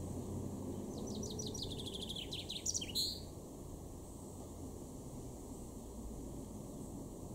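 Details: In a Weener garden in East Frisia, northwestern Germany, July 2022, a male chaffinch gives a single song: quick high notes tumbling downward in an accelerating trill, closing with an emphatic flourish, then low ambient rumble.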